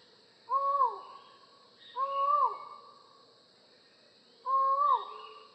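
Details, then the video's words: Collared forest falcon calling three times, long mournful notes held level then sliding down, separated by pauses of one to two seconds in a quiet setting. "Falcon Call Video: Collared Forest Falcon Bird Sound"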